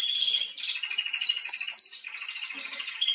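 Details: Female canary song recorded 21 January 2022, a steady rolling trill overlaid with repeated high whistled notes that rise and fall in quick succession.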